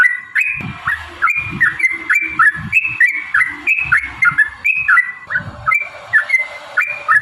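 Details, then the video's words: Yellow-vented bulbul in lively 'gacor' long-ropel song, used as a lure to provoke other bulbuls into singing and fighting: bubbly, warbled two-note phrases repeated rapidly, rising and falling, with low rumbling background noise. "trucukan gacor TARUNG ROPEL PANJANG pancingan trucukan agar bunyi jadikan burung trucuk gacor EMOSI"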